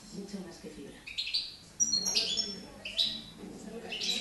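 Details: A young European goldfinch hatched in 2013 in Girona, just starting to sing, gives short bursts of bright, buzzy twittering about once a second, over a low murmur of voices.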